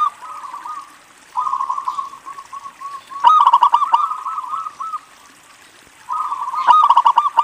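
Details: Zebra dove of local type singing as a lure for other zebra doves; several purring trill phrases with pauses between, the middle and final ones punctuated by loud staccato notes.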